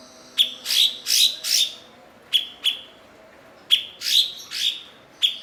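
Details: A kept blue-winged leafbird, known for mimicking other birds and used to train songbirds, delivers irregular runs of harsh, buzzy, high notes, some sharp and clipped, others drawn out and swelling.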